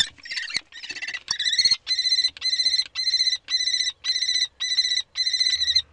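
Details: A common kestrel during a prey transfer on 3 May in spring gives a series of high, buzzy, whining notes, each about half a second long, repeated roughly twice a second; little else is heard.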